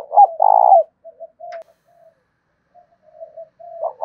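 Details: Decoy spotted dove with a 'thổ' style voice, calling to goad rival doves into cooing. A loud, rolling, burry coo opens, followed by soft clipped low coos and a rising note at the end.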